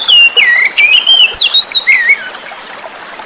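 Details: Forest-caught oriental magpie-robin song meant to coax non-singing birds: a rapid string of loud, fluid whistles swooping up and down, about three notes a second, fading into soft trickling water at the end.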